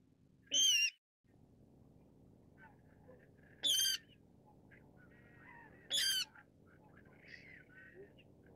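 Brown-cheeked Rail giving three harsh, high, squealing bursts about three seconds apart, with faint softer bird notes and a low steady hum behind.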